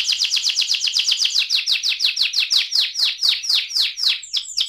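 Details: Rolling song of an AF canary: a long series of downslurred notes repeated at a steady pace, about two per second, the later notes becoming more spaced and sweeping.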